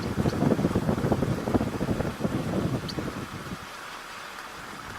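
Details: Gusting wind buffets the microphone with low rumbling and the drone of a passing vehicle or boat, fading to quieter steady background after three and a half seconds.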